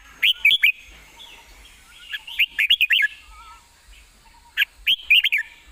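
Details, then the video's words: Singing casually while standing, a red-whiskered bulbul delivers well-phrased, fast song: three bursts of quick, sweet, warbled whistles rising and dipping, separated by gaps of about a second or more. "ยืนร้องชิวๆ"สำนวนดี ปากไว"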